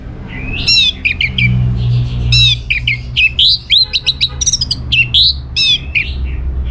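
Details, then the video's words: Orange-headed thrush in full, energetic song played to set other birds answering: a dense stream of loud sweeping whistles, trills and clipped chirps, changing phrase every fraction of a second, with a steady low hum underneath. "Putar Kicauan ANIS MERAH Gacor Ini dijamin Pasti Ikut Nyaut Bahkan Langsung Teler"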